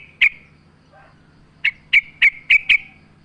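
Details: Yellow-vented bulbul in a lure recording with nature sounds: a loud, clipped chirp, a pause with faint lower notes, then five quick, bright, evenly spaced chirps over a soft steady hum.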